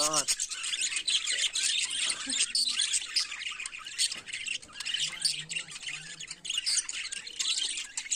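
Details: Budgerigars in the morning, opening with a brief harmonic squawk, then a continuous busy warble of fast chirps, clicks and scratchy notes from many birds, with faint low hums around the fifth second.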